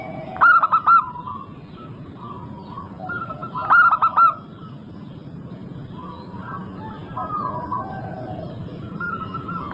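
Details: Local zebra dove singing actively, repeating a loud four-note trilled coo phrase twice about three seconds apart, with faint, level cooing from other doves filling the gaps.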